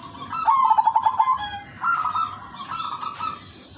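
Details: A silver female zebra dove calls to attract males. It gives a rapid rolling trill of pulsed coo notes, then a smoother softer phrase, set against a persistent high whine.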